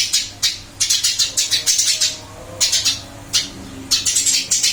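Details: Eurasian tree sparrow singing in its new cage after being moved, still in full voice: dense strings of scratchy, high chirps in rapid bursts, with short gaps between, and a soft mechanical hum in the background.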